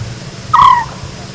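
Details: African scops owl calling while sitting close by on a sunrise safari in Sabi Sand, South Africa: a single short, purring note, low and slightly falling, lasting about a third of a second, over faint background hum.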